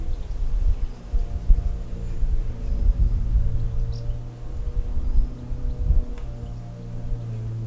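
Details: Low droning engine hum with shifting pitch and some thumps dominates throughout, with no clear animal voice.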